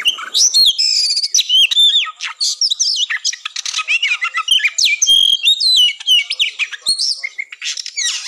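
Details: Oriental magpie-robin in fighting song, played as a mental test before a contest to lift breeding drive; loud, fast sequence of varied whistled slurs, sharp upsweeps and harsh scratchy notes, nearly continuous.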